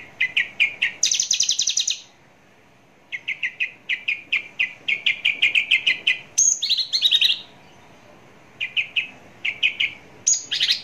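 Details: Javan bush lark singing close up: quick trains of sharp repeated chirps alternating with rapid high buzzy trills, the phrases broken by brief silent gaps.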